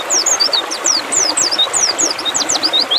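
A white-eye sings a fast, unbroken stream of thin, high twittering notes, each quick slurred chirp tumbling after the last over a soft background hiss.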